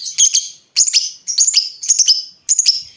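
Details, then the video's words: Lovebird in full voice, used as a lure so other lovebirds answer. Five harsh, high, squeaky screeches are repeated roughly every half second, each made of a few quick sharp notes. "Pancingan Lovebird Gacor Burung Lakbet apapun pasti Nyaut Ngekek"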